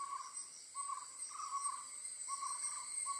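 An owl gives short, wavering mid-pitched hoots, each about half a second long, repeated roughly every second, over a steady high buzz of insects.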